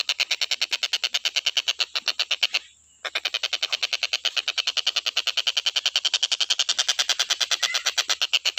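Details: Stork-billed kingfisher calling without pause, recorded for training other songbirds: a dense, machine-like train of harsh, rapid pulses, interrupted by one brief silence and then resuming at the same pace.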